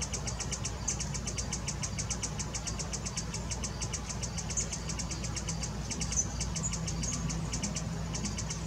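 A hummingbird gives high, thin chips in a steady run, about five a second, over a constant low engine-like rumble.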